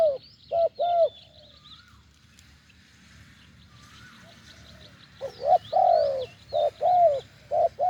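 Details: Wild spotted dove with a deep voice during branch decoy trapping in Thailand; two short coos open, then a long quiet stretch with faint chirps, before a run of paired deep coos returns.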